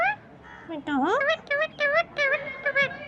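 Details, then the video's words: Green parrot talking nonstop, mimicking human speech: a quick run of high-pitched, voice-like syllables with bright harmonics, each sliding or bending in pitch, with short gaps between them. "Nonstop talking parrot"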